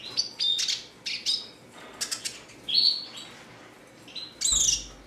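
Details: Spirited Red siskin song of scattered sharp chips and brief clicks, with a bright whistled note near the middle and a loud high squeaky flourish near the end.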